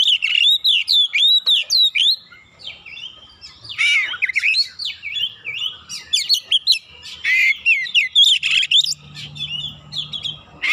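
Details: Oriental magpie-robin singing hard against a rival bird, quickly provoked and pouring out its full repertoire. Rapid, varied, high whistles, slurred notes and scratchy phrases come in energetic bursts, with brief pauses between runs.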